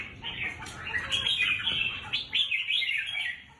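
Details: Caged contest red-whiskered bulbul pours out a continuous stream of lively, slurred whistles and chatter that stays steady before tapering off at the end.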